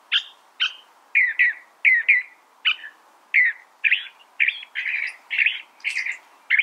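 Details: California thrasher singing a lively sequence of varied phrases, each about a third of a second, mixing slurred whistles with rougher buzzy notes and occasional very high squeaks, against a quiet background.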